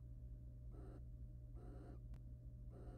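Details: Barn owl pair, wild, courting and mating inside a nest box; three drawn-out rasping hisses about a second apart, a sharp click between the last two, steady low hum throughout.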